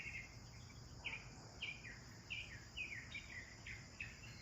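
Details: Sparrows enjoying a bath give sharp chirps that drop in pitch, repeated about every half second in a steady series, over a low continuous hiss.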